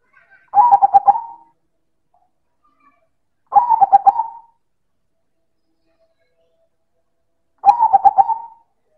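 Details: Three loud cooing bursts from a silver zebra dove, spaced about three to four seconds apart; each is a quick train of pulsed notes fading into a held tone, with silence between.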